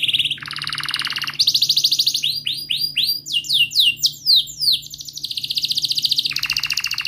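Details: Canary singing a long rolling song meant to prompt a quiet canary to sing: fast buzzy trills alternate with series of rising swept whistles and descending slurred notes, ending in another rapid trill.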